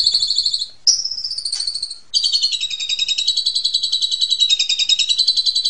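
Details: Asian pied starling giving a master song meant to teach young birds: a long, continuous, high buzzy trill, briefly broken by a sharp rising whistle, then running on steadily.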